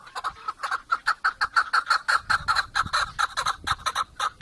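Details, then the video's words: Steady run of rapid chukar partridge notes, roughly four per second, each a short rasping chuck with bright overtones, evenly loud throughout. "Keklik en güzel keklik sesi"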